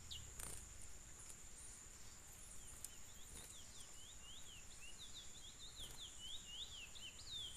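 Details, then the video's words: Chestnut-bellied seed finch (curió) heard faintly at a distance: a long series of slurred whistled notes rising and falling, steady background hiss and occasional clicks. "Curió do lucas"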